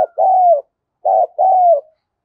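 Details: Decoy spotted dove giving thúc and gáy coos to call wild doves: two paired phrases, each a shorter low coo followed by a long, level then falling coo, in a quiet setting.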